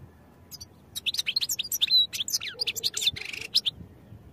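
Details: Goldfinch song for training purposes, a dense, rapid stream of high liquid twitters and slurred chirps with one drawn-out buzzy note near the end, over faint low background rumble.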